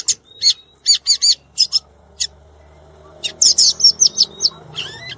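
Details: Wild violaceous euphonia song: scattered high, sharp chips and short whistles, then a quicker cluster of bright, tinkling notes ending in a rising whistle, with a faint low hum underneath.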